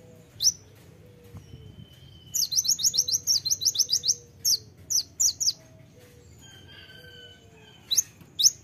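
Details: Rapid tembakan-style phrase from a kolibri ninja, a sunbird: a long chattering string of about a dozen high, sharp notes, then paired shrill chirps, with faint thin whistles beneath.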